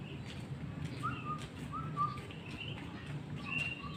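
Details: Afternoon song of a White-rumped shama: spaced, clear whistled notes, some pairs of falling whistles, with fainter higher phrases between them and a low background hum.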